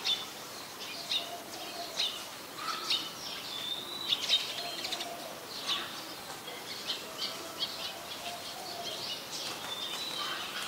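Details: Brown-throated Sunbird, male and female, at Ubon Ratchathani, Thailand, on 3 January 2021: short, sharp high chirps given at irregular intervals, some in quick pairs, over a steady hiss with faint lower tones.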